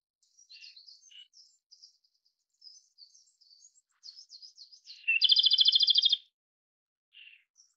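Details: Soft, scattered high twitters from other small birds lead up to a loud, rich rattling trill from a Japanese robin lasting about a second, followed by a faint brief note.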